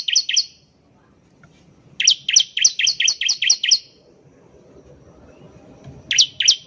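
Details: Bar-winged prinia (ciblek) singing in gacor style as a lure recording to prompt other birds to sing: bright, high chirped double notes in quick bursts, a pair, then a run of about eight, then two more after a pause.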